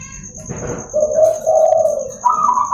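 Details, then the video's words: Local zebra dove singing in the morning, a lure and training song: after a brief rustle, a long mellow coo in two swelling parts, then a higher sustained note, over a faint high whine. "Suara Terapi Perkutut di pagi hari agar cepat gacor"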